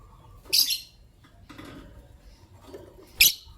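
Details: Morning chirping of pet lovebirds, green Personata and albino: two harsh, bright high chirp bursts almost three seconds apart, with quiet shuffling and low cage noises between.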